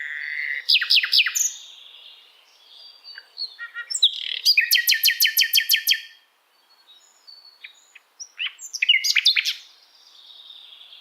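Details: Asian brown flycatcher song for teaching songbirds: bursts of sharp high notes, a rapid evenly repeated trill of about ten strokes, a brief silence, then more chattering chips.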